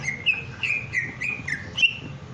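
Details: Puffed-up greater green leafbird in breeding condition gives six slurred, slightly buzzy whistles in quick succession, about three per second, each note rising then falling, over a steady low hum.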